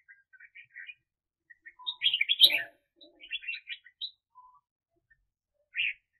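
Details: Red-whiskered bulbul kept as a decoy bird for trapping, recorded in 2021: bursts of bright, warbled chirpy phrases, with a louder jumbled burst mid-clip and a short final phrase after a pause.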